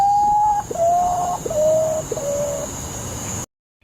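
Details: A potoo gives four mournful, steady whistles, each slightly lower, about every 0.7 seconds, over constant high insect hiss; at night it camouflages like a tree branch and makes ghostly scream-like calls.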